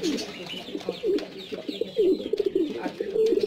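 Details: Black Shiraji pigeons kept in household cages give wavering, low gurgling coos, repeated in quick short phrases that rise and dip, over a murmur of other pigeons.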